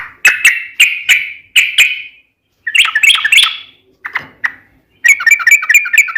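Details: Sooty-headed bulbul, local name trucukan, singing: several separate sharp chirps, then a burst of warbling, a pause, and a fast chattering trill at the end.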